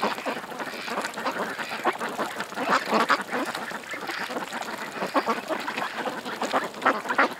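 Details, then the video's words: A flock of ducks at a creek keeps up steady, overlapping quacking for several seconds. Scattered louder nasal calls rise above a busy, hissy background. "Ducks At The Creek"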